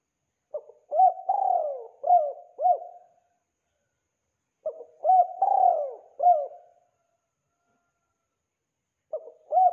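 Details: Spotted dove song used as a trapping lure: mellow, low coos in three-part phrases, a short note, a drawn-out falling coo, then a clipped ending note, repeated roughly every four seconds in otherwise clean silence.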